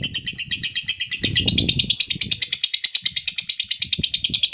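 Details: A lovebird calls a rival with a long ngekek trill, a steady high rattling chatter of evenly spaced pulses throughout, over low background thumps and murmurs.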